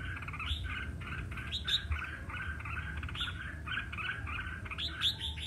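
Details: Red-whiskered bulbul singing competitively: rolling, warbled chatter with occasional sharp high upslurred notes, steady and continuous over five seconds, with low background rumble.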